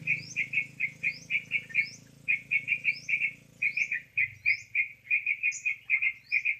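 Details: Yellow-vented bulbul trapping lure: steady rhythmic chirps in quick groups, with high rising whistles overhead and a low hum in the first part.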